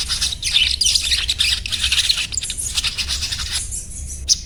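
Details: Rapid, continuous high-pitched chattering and squeaky twitters from a sogon, or little spiderhunter, thinning out toward the end, with a low hum in the background.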